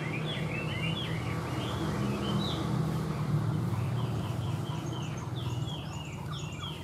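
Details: A captive, tamed Chinese Hwamei sings a quick run of short, slurred whistles, rising and falling at about four notes a second, over a steady low rumble.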